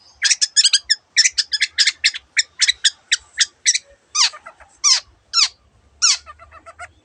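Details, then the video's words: Long-tailed shrike in lively song rich in imitations of other birds: rapid bursts of sharp, high chattering notes in quick series, then slower, separate descending slurred notes with short pauses. "cendet gacor masteran untuk burung yang susah bunyi banyak varian suara burung lainya"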